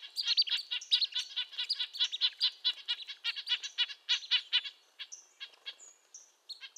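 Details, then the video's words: Red-breasted nuthatch giving tin-trumpet calls, nasal and high, fast irregular series that fades in the last seconds, leaving a few thin high whistles. "Red-breasted nuthatch sounds, Sounds of the Canadian Nuthatch"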